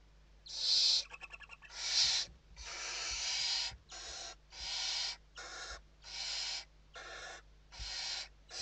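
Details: Western barn owls inside the nest in Spain, evening feeding, 29 November 2023: a dense series of about twelve harsh hissing screeches, including a quick rattling stutter, nearly continuous with brief gaps.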